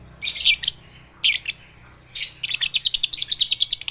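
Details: Baby and juvenile lovebirds learning to sing, used to coax silent lovebirds into calling; three separate shrill twittering bursts, then a sustained run of fast pulsed chirps about six per second.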